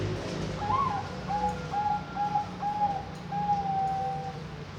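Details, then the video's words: Captive Bangkok-type zebra dove from a bird farm in Kediri, East Java, Indonesia, hatched June 2024, sings a higher opening coo followed by a run of about five even, clear cooing notes at steady mid pitch, over low background hum. "Perkutut Bangkok Suara Bagus"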